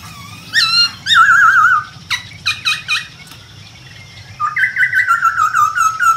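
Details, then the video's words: Wild masked laughingthrush song, loud and varied: short wavering whistles, a trilled warbling phrase, sharp clipped notes, then a long rolling, quavering whistled passage, with faint low background rumble. "KICAU BURUNG POKSAY HONGKONG DI ALAM LIAR"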